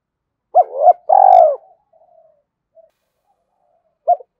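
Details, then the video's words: Spotted dove cooing as a lure to draw in wild doves: two short arched notes, then a longer, loud, slightly falling coo, a quiet gap, and one final short note; no other sounds. "Tiếng chim cu gáy kích bổi"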